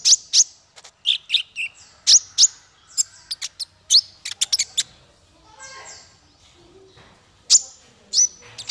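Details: Male konin, the Ruby-cheeked Sunbird, sings as a training model for songbirds: dense bursts of sharp high chirps and squeaks, a quieter gap with faint thin whistles, then two final loud piercing notes.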